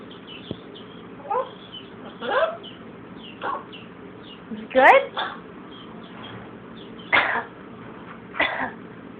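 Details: A blue-and-gold macaw gives short, harsh, cough-like bursts every second or two, mimicking a cough, with some quiet speech-like sounds between; the bird has a cold.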